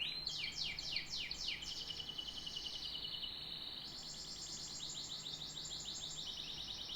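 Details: Canary beginning with a few bold descending swoops, then a flat rolling trill, followed by a long fast run of bright repeated notes.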